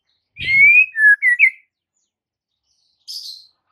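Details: Whistled White-rumped shama phrase from a master recording for stirring a quiet bird to sing: a rising whistle, then two short slurred notes, with a brief buzzy note after a pause.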